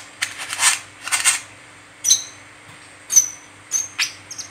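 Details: Brown-throated sunbird chirping continuously, used as a lure to set other sunbirds calling: thin, sharp, very high chips about a second apart, preceded by scratchy rustling bursts over a faint steady hum.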